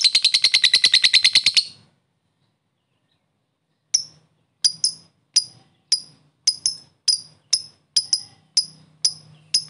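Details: Fighter lovebird, 'ngetik' typing chatter meant to lure lovebirds into singing: a brief fast high trill, a pause of two seconds, then irregular sharp chips, some doubled, spaced about half a second apart.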